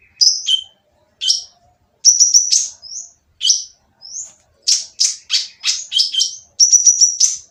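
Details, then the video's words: Harsh-voiced oriental magpie-robin singing to draw quiet birds into song: high whistled notes and short falling slurs in spaced bursts, becoming a rapid run of scratchy, loud phrases in the second half, background silent. "konin yang diam malas bunyi akan nyaut jadi gacor setelah mendengar suara konin berisik ini !!"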